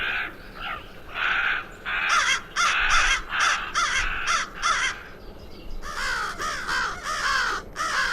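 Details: Crow in Zion National Park giving a run of harsh, raspy caws, roughly a dozen in quick uneven bursts, the later calls more nasal and arched.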